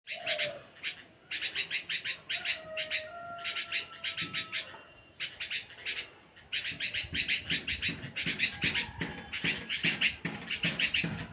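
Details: Bulbul calling: bursts of harsh, rasping chatter notes repeated in rapid series, with brief pauses between runs, alongside faint low tonal whistles in the background.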